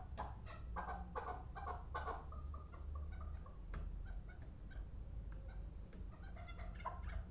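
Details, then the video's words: Two-year-old hunting chukar partridge from the Pamir giving a burst of quick clucking notes, followed by sparser, softer chuks, with a constant low rumble underneath. "Кабки Помир"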